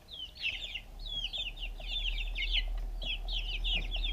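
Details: Little backyard chicks eating food, captured with a GoPro: high, quavering peeps in repeated bursts, roughly four clusters, over a steady low rumble that grows louder.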